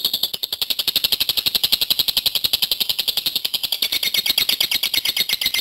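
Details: Lovebird, described as a contest-prospect bird, singing in the long continuous 'gacor panjang' style: a rapid, buzzy chattering trill of sharp high notes about ten per second, sustained without a break, with the pitch dipping slightly near the end.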